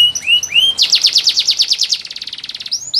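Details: Canary of the green variety singing energetically: a few rising whistled slurs, then a long rapid trill of sharp descending notes slowing slightly toward the end, finished with upward sweeps.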